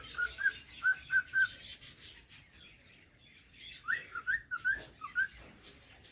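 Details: A cockatiel gives soft whistled notes, first a few level ones, then a quick cluster of rising and falling slurs, against steady background hiss and hum.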